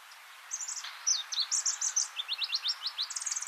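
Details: Pallas's leaf warbler on migration at Hegura-jima island, Japan: after a brief hush, high thin notes give way to a fast series of sharp rising chips and trills, delivered without pause.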